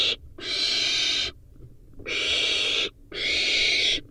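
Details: Barn owl nestling eating a rodent: three long, harsh hissing screeches, each about a second, separated by brief quiet gaps.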